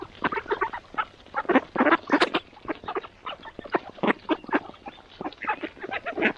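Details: A flock of mallards arriving for a morning feeding quacks in a busy chorus, with harsh nasal calls overlapping in quick bursts of several per second.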